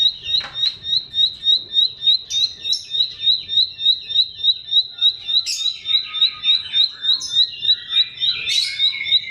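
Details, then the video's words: Bar-winged prinia song for luring mute birds: a long regular train of sharp high chirps about three per second, interrupted by raspy bursts and softer lower warbles. "BERBAGAI ISIAN KICAUAN CIBLEK, PANCINGAN AMPUH UNTUK SEGALA JENIS BURUNG BISU, MACET ,LELET"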